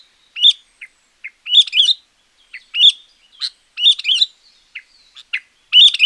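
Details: Sooty-headed bulbul, a champion singer used to attract wild bulbuls or train lazy ones: rapid series of loud, bright chirped phrases and brief clipped notes, closely packed over a few seconds.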